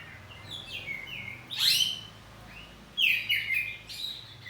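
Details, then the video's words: Home-kept oriental magpie-robin, kacer poci type, answering in loud ngeplong song: soft whistles, then a sharp sweeping burst, a pause, and a lively cluster of warbled notes. "Kacer ngeplong saut2an || kacer poci rumahan || suara kacerpoci || burung kacer"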